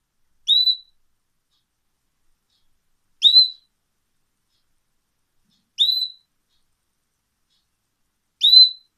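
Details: A pet canary gives short, clear whistled notes that sweep sharply upward, each followed by about two and a half seconds of silence. Four identical notes sound in a quiet room.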